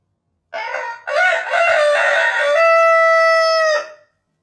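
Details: A rooster gives one full crow: a short opening note, a pause, a rasping middle stretch, then a sustained even ending note that fades out after about three and a half seconds, with no other sounds.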